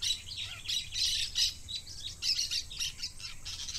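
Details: Parakeet giving rapid bursts of harsh, high chirps and short squawks, clustered in uneven groups roughly every second, over a faint low background hum.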